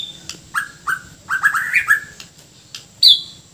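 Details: Bornean white-rumped shama singing energetically with filler phrases and rough notes: separate clear whistled notes sliding down, each under half a second, with a high thin note at the start and a bright high note near the end.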